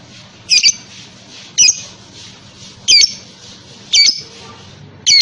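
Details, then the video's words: Lovebird played so other lovebirds respond and sing ngekek; piercing, scratchy squawks come at uneven gaps of about one second, the first doubled, against a steady hiss. "Burung Lovebird manapun akan nyaut dan ngekek panjang setelah dengar ini"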